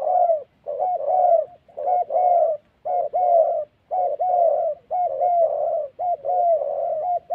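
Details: Decoy spotted dove from Vietnam's Central Highlands cooing in the "thổ" style, a steady string of mellow, low paired coos with short gaps, delivered roughly once per second and loud over near-silent surroundings.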